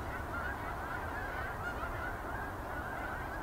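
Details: Evening flock of geese leaving the field for Boulder Reservoir, a nightly ritual; dense, continuous chorus of overlapping nasal honks from many birds, with constant low-pitched background rumble beneath.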